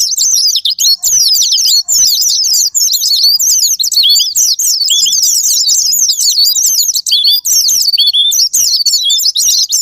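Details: Japanese white-eye song used as a sparring-partner lure to rouse caged birds: long stretches of rapid, high, jumbled twittering broken by short gaps every second or two, with some sharp clicks among them.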